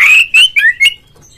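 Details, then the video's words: Kacer, or oriental magpie-robin, calling in the loud ngeplong style meant to set other magpie-robins singing: a strong sustained whistle, then three short clear whistled notes, each slightly falling, in quick succession. "suara panggilan Kacer NGEPLONG nge-play Ngobra GACOR bikin semua JENIS BURUNG KACER ikut GACOR"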